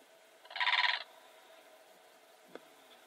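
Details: Blue crane giving a single rasping, pulsed call of about half a second, loud and harmonic-rich, followed by quiet background with a faint click near the end.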